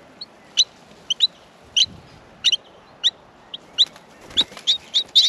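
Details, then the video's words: Baby Australian miners calling from the nest at feeding time, a string of thin high chirps that quicken and crowd together toward the end. "Australian Minor baby birds in the nest feeding"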